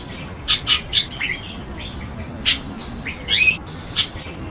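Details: Chestnut-tailed starling calling: clusters of brief scratchy chirps and a longer grating squawk, separated by short pauses, over soft background whistles and low ambient rumble.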